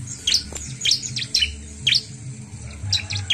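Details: Bar-winged prinia singing short, bright clusters of high chirping notes about every half second, with brief pauses between bursts and a faint low hum beneath.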